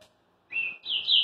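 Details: Green-winged saltator near Rio de Janeiro, singing again oddly after moulting: two loud, clear whistled notes in quick succession, the second higher and slightly rising; nothing else heard.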